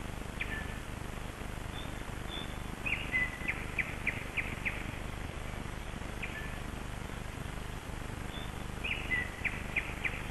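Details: Wild birds singing at early dawn on 21 May 2012 at Kasmu, at sunrise: short high chirps and trills come in loose clusters over a steady low background rumble.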